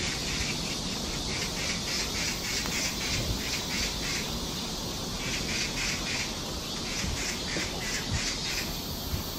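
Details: Oriental magpie in a summer forest at Galsan Park trail, South Korea, in July 2024 during a rainy-season heatwave, gives harsh, rasping chatter in quick repeated bursts against a steady hiss of cicadas and low rumbling.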